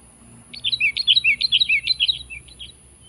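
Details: Sooty-headed bulbul calling to challenge a rival: a rapid, jaunty string of bubbly chirps, a little over two per second, alternating up- and down-slurred notes for about two seconds, then tapering off, with a steady low hum behind.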